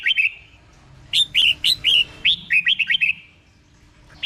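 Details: Caged-bird training song of a red-whiskered bulbul from Thailand, slow and clear: quick run of rising and falling whistled notes, then a pause before a final rising note.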